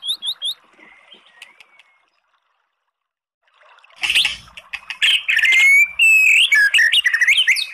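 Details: Oriental magpie-robin song for goading a dull bird into singing: a few quick high notes and a faint whistle, silence, then a loud burst of harsh chatter and varied slurred whistles.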